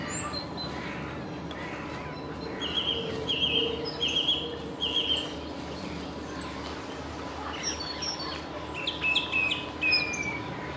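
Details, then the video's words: A song thrush sings from a treetop in the leaf yard beside the Peter Pan statue, repeating a clear, bright phrase three times, then switching to varied sharp whistles and chirps over a steady low hum. "Song Thrush singing"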